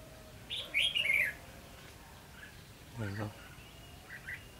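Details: Red-whiskered bulbul singing in a contest during decoy trapping, recorded 19 July 2016: a short burst of bright, warbling whistled notes, then a low buzzy sound later and a faint brief chirp near the end.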